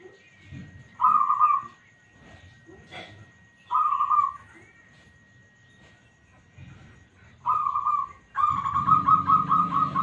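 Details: Local zebra dove with a smooth, responsive song used as a lure for other doves: three short rolling coo bursts, then a longer bubbling series at the end, with faint low rumble between phrases.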